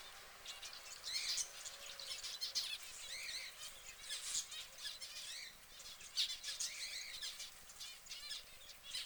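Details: A yellow canary calls while preening: rapid, high, rising-and-falling chirps that come in clusters every second or two over constant thin background twittering and light wing flutters.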